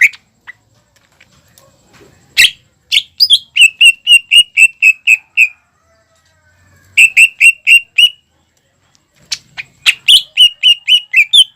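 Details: A prolific greater green leafbird singer, played to provoke juvenile birds into singing: three bursts of crisp, evenly spaced whistled notes at about four per second, separated by short silences, with a few isolated sharp chips.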